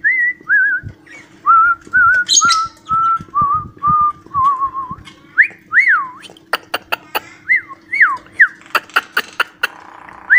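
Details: Cockatiel whistling a learned tune, the song Johny Yes Papa: clear pure whistled notes, first a level series stepping slowly downward, then rising-and-falling swoops, with sharp clicks and a steady low hum indoors.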